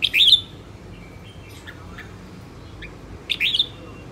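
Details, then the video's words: Female red-whiskered bulbul, a kept bird, giving two short bursts of sharp, high chirping notes about three seconds apart, with faint soft notes between them in a quiet setting. "Chào mào hót | luyen giọng chao mào | Chào mào mái"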